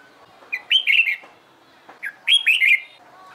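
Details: Red-whiskered bulbul in training for competition singing: two short bursts of clear, warbled whistled phrases with rapid rising and falling notes, separated by a brief pause, over quiet background.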